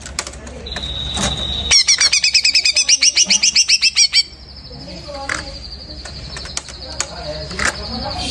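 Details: Greater green leafbird just after moulting, singing: a steady high whistled tone, then a fast run of about fifteen sharp rhythmic repeated notes, then a long sustained high buzzy note with faint scattered clicks.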